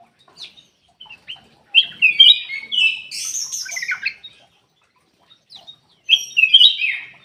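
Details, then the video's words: A Ruby-throated bulbul sings as a lure for lazy caged songbirds. Scattered chirps lead into a long, tumbling whistled phrase with high notes, and a second phrase follows after a pause. "PANCINGAN KUTILANG EMAS MALAS BUNYI"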